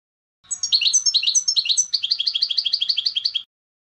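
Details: European goldfinch delivering three seconds of song, clusters of bright twittering notes giving way to a rapid regular series of chirps.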